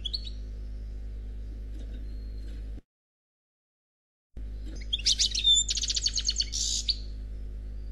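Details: Single unmated European goldfinch, Khalwi song: a faint note at first, a stretch of near silence, then a lively burst of high twittering, rapid buzzy trills and clear whistled notes.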